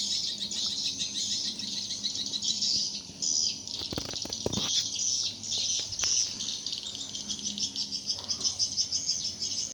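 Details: Swiftlets at a four-storey swiftlet house measuring 5 by 10 metres, active for four months; continuous high rattling twitter from many birds, broken by several sharp clicks or wing sounds in the middle.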